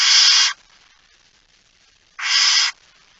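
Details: At the nest at dawn on 19 September 2019, a barn owl gives two loud, rasping hisses, each around half a second long, with nearly two seconds of silence between them while feeding goes on.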